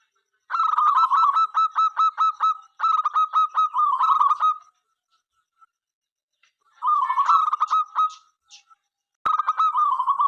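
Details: Zebra dove of a local strain sings to draw other doves into song, giving long runs of quick staccato coos that end in rolling trills. Several bursts are separated by silent gaps, with a single sharp click late on.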